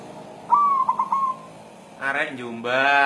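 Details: Lovesick white zebra dove, a local natural bird, searching for a partner: a single clear cooing phrase, a held note followed by three quick stuttering beats, then louder voice-like harmonic sounds.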